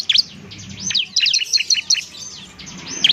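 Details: Ciblek (bar-winged prinia), a semi-adult bird in lively song meant for training other birds; dense cluster of high, bright arching notes and rapid twittering phrases.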